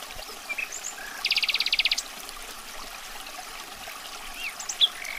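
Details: Common nightingale giving a brief buzzy rattle of rapid, evenly repeated notes. Isolated soft chirps and a short whistle follow over background hiss.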